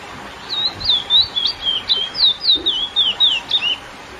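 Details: Classic song of the lesser seed finch (curió), sung to excite females: a run of about a dozen clear whistled notes, each swooping down then up, delivered rapidly and evenly over a faint hiss.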